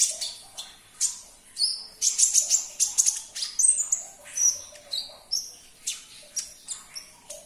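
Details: Energetic sunbird song played to make a caged bird sing again: rapid, shrill tweets and short whistles repeated in quick succession, steady and high-pitched.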